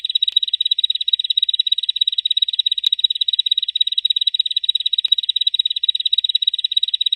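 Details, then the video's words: Uninterrupted 'ngebren' song from a bar-winged prinia, used as a master for training caged birds: a piercing, even trill of rapid pulses at one steady pitch, plus a couple of faint clicks. "Suara burung ciblek ngebren untuk masteran"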